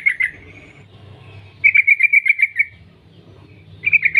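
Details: Sooty-headed bulbul, a female calling to males: brief chirps at the start, then a run of about eight quick, bright notes, and another short burst at the close over a low droning background.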